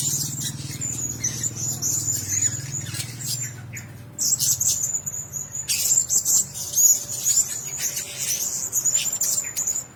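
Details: Blue-crowned hanging parrots in a shared cage produce a high, sibilant twittering, briefly quieter near the middle before bursts of sharp squeaky chirps resume, over a low droning hum.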